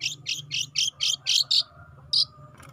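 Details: Juvenile long-tailed shrike in full, active song: a run of seven harsh, buzzy, high chattering notes at an even pace, a short pause, then one more scratchy note, over a faint low hum.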